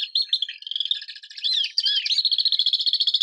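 Swift giving shrill, high screaming calls, first a jumbled run of notes, then a fast even trill of buzzy pulses, about three a second, all very high-pitched.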